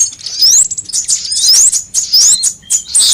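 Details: Sunbird calls used as a lure recording to attract birds and prompt them to sing: thin, very high chirps broken by three quick rising whistled sweeps, spaced under a second apart, with brief gaps between bursts.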